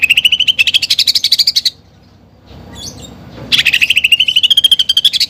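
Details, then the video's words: Greater green leafbird delivering song laced with fighting-sparrow and woodpecker imitations. Two rapid rising trills of sharp, buzzy pulses, split by a quiet gap with faint chirps. "CUCAK IJO GACOR FULL ISIAN TEMBAKAN GEREJA TARUNG DAN PELATUK BAWANG"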